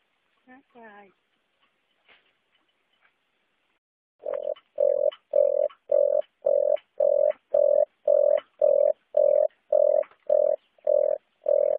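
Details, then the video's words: Red turtle dove with a few brief human voice sounds at the start, then a long, even run of short, low, hollow coo notes repeated about every half second. "tiếng cu ngói"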